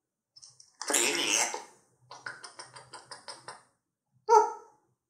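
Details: Pet grey parrot indoors, joking around, calling its owner and singing: a loud raspy burst, then a quick run of about seven clipped syllables, and finally a short, strong tonal squawk.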